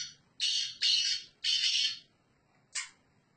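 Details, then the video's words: Sindhi black francolin calling from its owner's hand: three loud, rasping, drawn-out notes in quick succession, then a pause and one short harsh note, with a faint low hum underneath. "Hath paw bolny wala Sindhi Gangus teetar"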